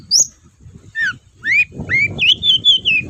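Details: Long-tailed shrike singing as a lure to get lazy shrikes going: clear slurred whistles falling and rising, then a quick string of wavering whistled notes, over a low background murmur.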